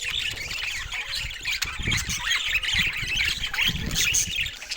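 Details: Budgerigars in a flock give dense, overlapping chirps and warbles, high and scratchy, churning on without pause, with low thumps of movement underneath.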